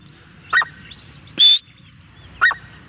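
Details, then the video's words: Grey francolin: two short lower notes frame one long, high, shrill whistle, heard over a soft low hum. "Teetar Voice|| top 5 sounds of Dakhni teetar birds||gray francline awaz"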